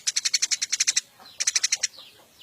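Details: Captive wild-caught Eurasian tree sparrow producing two tight series of loud, evenly repeated high chirps, about ten notes each, with a short gap between.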